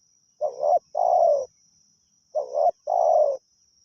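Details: Spotted dove kept as a lure, calling continuously: two mellow phrases of a short wobbling coo followed by a longer falling coo, two seconds apart, with a faint constant high tone in the background.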